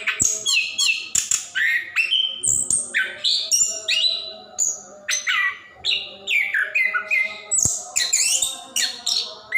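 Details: Continuous rolling song of an orange-headed thrush, played to stimulate caged birds that sing little; dense run of varied whistles, chirps and sharp mimic-like notes with barely a pause, some rising and falling slurs.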